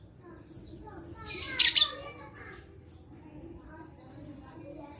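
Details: Lovebird song meant to prompt silent lovebirds into singing, dated 11/4/21. Soft, thin whistled twitters surround one loud, harsh, double-pulsed chatter, and a sharp shrill note ends the clip.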